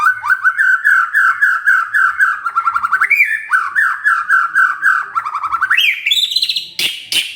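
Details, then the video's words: Agitated white-rumped shama pouring out fast, rich repeated notes at a steady pace, the phrase climbing in pitch toward the end, closed by two sharp clicks. "tidak nyampe 3 menit murai TERPANCING emosinya, nyaut GACOR✅ shama bird✅✅"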